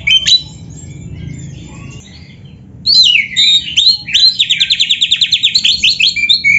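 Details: White-rumped shama (kacer) singing, a lively caged bird used as a training master: a short burst, a pause, then a fast rattling series of repeated sweeping whistled notes, about twenty in quick succession.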